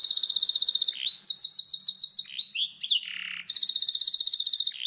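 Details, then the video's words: Black-throated canary, a caged pet, singing in alternating sections: fast high trills of repeated notes, a run of slower spaced whistled notes, slurred swoops, then another rapid trill. "suara blackthroat"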